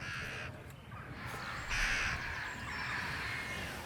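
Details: Jackdaws give harsh, raspy caws in two short bursts, the second drawn out and scratchy, over steady outdoor hiss, recorded during a playback experiment on mobbing calls.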